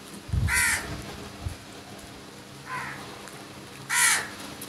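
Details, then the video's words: Crows in a large flock attacking food: harsh, hoarse caws, three separated calls about 1.5 seconds apart with low thumping sounds early on. "Huge Number of Crows Brutal Attack on Food and Crows Sounds"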